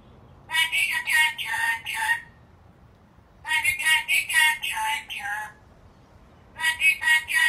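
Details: Black-capped lory, described as angry, screaming in three bursts of strident, buzzy, stuttering notes, each burst several notes long, with short quiet breaks between.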